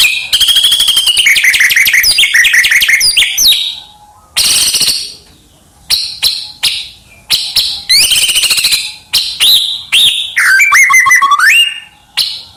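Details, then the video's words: White-rumped shama singing energetically with many fills, used to draw other birds into song: bursts of rapid chattering and whistled notes, clicks and short high chips, then a tumbling falling-and-rising whistled phrase. "MURAI BATU BIKIN EMOSI LAWAN FULL ISIAN | SUARA MURAI BATU GACOR UNTUK PANCINGAN BURUNG"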